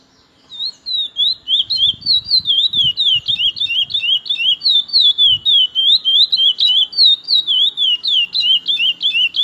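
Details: Curió, chestnut-bellied seed finch, singing: a long sustained run of clear rolling whistled notes, rising and falling, delivered continuously at a fast pace with faint background noises.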